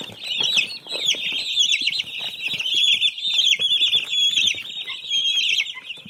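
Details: Young chicks giving a constant overlapping stream of high peeping chirps, a few clearer whistled notes on top, plus soft rustling.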